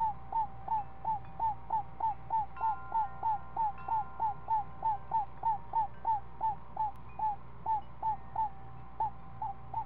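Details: Owl at a nest with a seven-day-old owlet, at a feeding where a snake brought by the male is fed to the chick: a steady series of short, hooked, mid-pitched notes, about three each second, over a constant low hum.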